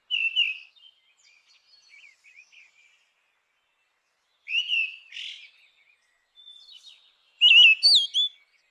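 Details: Grey-winged blackbird singing in natural habitat: a mellow whistled opening, scattered soft notes, a second fluty phrase with a husky element, and a loud intricate warbled finale.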